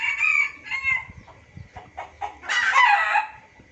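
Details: Lure sound of junglefowl: a harsh crow, short soft clucks, then a loud, raspy crow near the end, over a constant thin high tone.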